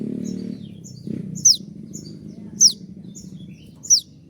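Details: Konin giving 'tembakan' shot notes in a master recording for songbird training: three sharp, high falling strokes about a second apart, with fainter whistles between and a low murmur at the start.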